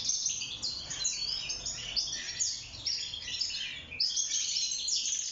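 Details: Caged wild European goldfinch (mqnin) singing for mating and nest building: a dense, high-pitched stream of liquid twitters and short trills, with a brief dip in loudness midway before the chatter resumes.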